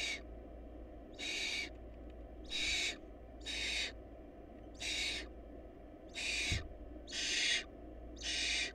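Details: Hungry barn owl nestlings, their family lacking food, produce eight rasping hiss bursts at uneven intervals over nearly nine seconds, with a constant low background hum.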